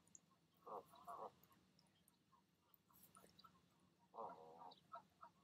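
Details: Goose pair at the nest on an evening in May, urging goslings to leap down; a few harsh nasal grunts in short bursts with quiet gaps, faint higher peeps between.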